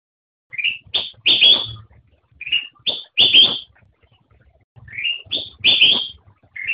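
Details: Black-crested bulbul singing: three short phrases, each opening with a rising whistled note and ending in a loud, rich burst of notes, spaced about two seconds apart with brief silences between.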